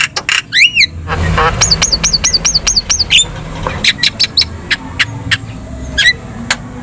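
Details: Javan myna in lively song, played as a training recording to make other birds respond: sharp clicks and rapid harmonic trills, then repeated rising whistled notes and scattered high ticks over a low steady hum.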